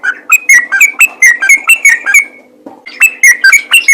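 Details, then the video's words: Yellow-vented bulbul singing actively, used as a call to make other bulbuls sing more. Loud, rapid whistled notes with sharp clicky attacks, about three to four a second, with a short pause before the burst resumes. "BURUNG TRUCUKAN ROPEL GACOR FIGHTER||PANGGILAN AMPUH UNTUK TRUCUKAN LAIN AGAR RAJIN BUNYI"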